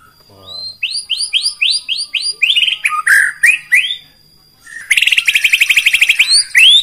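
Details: White-rumped shama song played to rile rival birds: a run of evenly repeated upslurred whistled notes, a few lower slurred phrases, a pause, then a rapid harsh chattering trill and a final rising whistle.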